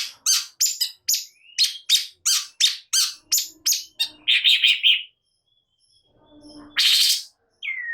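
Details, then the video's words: An agitated Long-tailed shrike gives a rapid run of about twelve short, scratchy notes, then a buzzy chattering burst. A pause follows, then a loud harsh screech and a brief falling whistle. "Cendet Malas Bunyi Seketika Naik Emosi Gacor Nembak"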